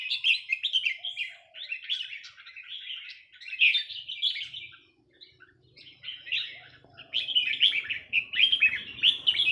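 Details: Red-whiskered bulbul from a Burmese line giving counted-phrase song; bright, rapid warbled phrases, bubbling and slurred, delivered in bursts separated by short pauses.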